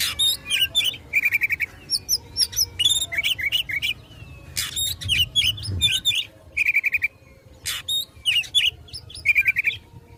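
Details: Oriental magpie-robin singing in fighting mode to provoke rivals: varied high whistles and harsh chattering phrases mixed with repeated quick trills, in bursts separated by short pauses, over low background hum.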